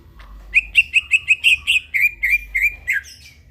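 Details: Vigorous night song of a greater green leafbird: around fourteen clear, rhythmic chirps in quick succession, steady in pitch, ending with a slightly lower downslurred note.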